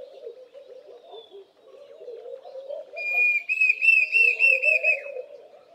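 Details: Diederik cuckoo giving its loud whistle-like call, a fast run of about eight clear, slightly rising whistled notes in the second half. Laughing Doves coo steadily in the background throughout.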